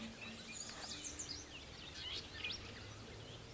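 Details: Red-winged Blackbirds playing on lily pads at a pond in Bald Eagle State Park, Pennsylvania, on a foggy morning give harsh, high, buzzy notes in two short bursts about a second apart over a steady low outdoor rumble. The call is described as hideous.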